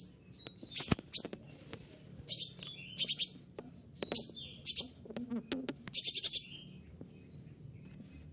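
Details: Caged konin (kolibri ninja) sunbird singing mimicked material of other birds: very high, sharp chirped bursts and short rapid trills repeated at irregular intervals, with quiet gaps and faint low background hum.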